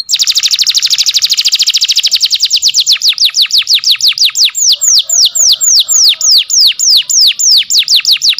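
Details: Canary singing, a tutor recording for canaries that have stopped singing: a long trill of downward-sweeping whistled notes, very rapid at first and then slowing to about four per second.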